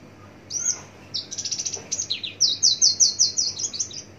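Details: Horsfield's (Javan) bush lark singing from a distance, a varied song mimicking rice-field and garden birds: rapid bursts of high, thin, varied notes, quick buzzy downslurred phrases about twice a second, over a quiet background.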